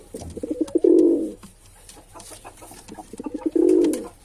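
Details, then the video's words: Male pigeon cooing indoors: two low, throaty, rolling coos, each starting with short stuttering pulses and swelling into a sustained murmuring coo, separated by a pause of about two and a half seconds, with faint clicks and room noise. "Pigeon Sound Effect"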